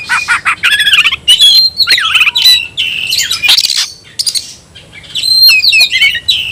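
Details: Oriental magpie-robin pouring out a new tayoraky-variant song, tail fanned: continuous varied phrases of bright whistles, buzzy rasps and fast trills, with a short lull near the end.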